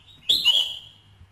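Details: Red-whiskered bulbul sounds meant to excite a male bird: one short, harsh, bright double-peaked note with a quick downward slur, fading out within half a second over quiet background.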